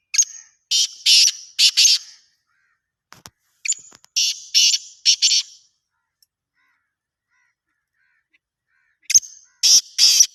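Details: Black francolin calling in three harsh grating phrases. Each phrase has several rasping, buzzy notes in quick succession, separated by a few seconds of quiet.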